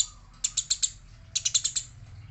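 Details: Fighting Eurasian tree sparrow, female mentioned; two quick groups of four or five loud, harsh chirps about a second apart.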